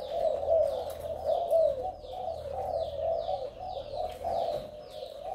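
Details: Cooing of a male Malaysian spotted dove kept as a decoy: mellow, low notes repeated about once per second, accompanied by faint sliding high chirps from other birds.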